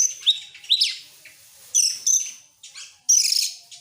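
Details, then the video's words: Oriental magpie-robin in excited song with tail opened: a few separate high phrases, upward-sweeping chirps followed by long steady whistles and a final buzzy burst, separated by quiet gaps. "sekali dengar langsung EMOSI NGOBRA GACOR BUKA EKOR, burung kacer nembak,Kacer gacor"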